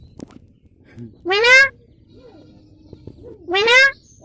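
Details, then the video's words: Talking hill myna saying its own name, "moyna", twice: two loud, harsh, nasal utterances about two seconds apart over a quiet background. "এবার শুনুন তার নিজের নামটাই নিজেই বলছে ময়না ময়না বলে"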